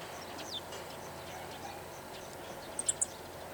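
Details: Meadow bunting perched on a wire at a ranch in Takaharu, Japan, repeatedly giving its ground call, perhaps wary of nearby birds: three thin, very high, sharp chips in quick succession, over a steady hiss of outdoor background noise.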